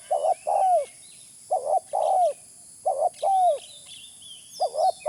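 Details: Lure recording of a spotted dove: mellow, low-pitched coos, each phrase a quick double note then a longer downward-curving one. The phrases repeat steadily about every one and a half seconds. Light twittering from other small birds is in the background.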